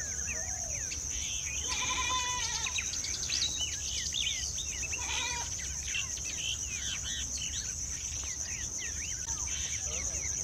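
Striated babblers chatter in a busy jumble of short, squeaky and nasal notes. A steady high insect whine runs throughout.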